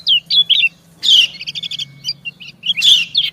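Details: Female white-eye answering a male: high slurred chirps, then a burst of rapid pulsed notes with a thin steady tone, ending in a loud bright twitter.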